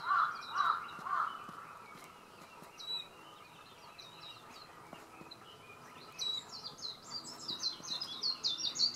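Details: Japanese white-eye, or meijiro, in cherry blossoms on Shioji Mountain, Japan, while one feeds on nectar; after a few low notes, a high, rapid twittering song of thin slurred notes builds in the second half, with quieter chirps earlier.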